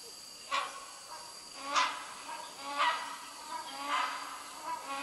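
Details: Hornbills calling at the Sungai Papan campsite, Royal Belum State Park, Perak, Malaysia, around 11 a.m. on 21 August 2020: harsh, honking barks about once a second, five in a row, over steady insect hum and forest hiss.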